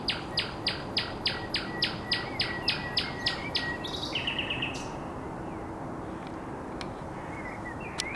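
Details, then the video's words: Common nightingale by the Żerań Canal, 1 May 2021: a long series of hard percussive notes about three per second, then a brief fast trill and a few soft scattered notes against low background hum. "Śpiew słowika rdzawego"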